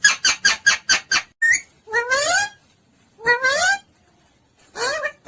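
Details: Parrot calling, said to be calling mummy and papa: a quick run of six short, evenly spaced chirps, then longer rising, warbling harmonic calls with gaps of silence, indoors.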